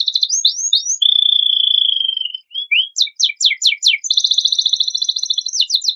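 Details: Canary singing a rich varied song meant to provoke other birds into singing: rising whistled notes, a long steady pure whistle, a burst of rapid descending chips, then a fast buzzy rolling trill ending in quick chirps.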